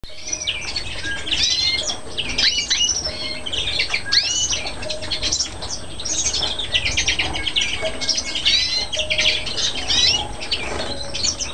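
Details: A greenfinch–canary hybrid on Chios, Greece, in 2011 sings a fast, continuous run of bright chirps, trills and rising whistles, with brief harsher notes mixed in.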